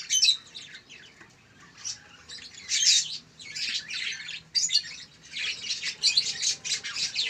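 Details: One-month-old local canary chick uttering scratchy high chirps and twitters in irregular clusters.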